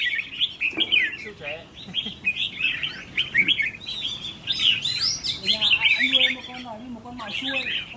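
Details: Trainee decoy red-whiskered bulbul, caged and put through a temperament test, delivers lively warbled phrases of rising and falling whistled notes, with low human voices heard underneath.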